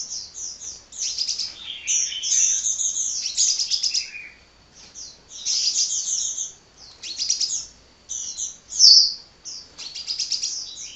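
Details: Hummingbird in nonstop song, a dense run of very high twittering notes and buzzy trills, delivered in phrases of one to two seconds separated by short pauses, with one sharp squeaky note near the end.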